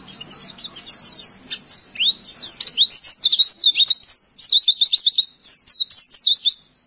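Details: Oriental white-eye song used to train other birds: a continuous stream of rapid high chirps, squeaky trills and down-slurred whistles in short bursts, lively throughout seven seconds.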